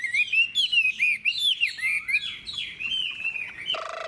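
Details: Chinese hwamei, a wild-caught adult with a fig-leaf tail, gives rapid, bright chattering whistles with looping slurs for over three seconds before a tonal background hum takes over.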